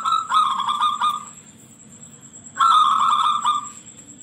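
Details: Shrill-voiced local zebra dove singing as a lure recording to prompt other doves to answer. Two clipped, pulsing coo phrases, each about a second long, arrive roughly two seconds apart over a faint low hum.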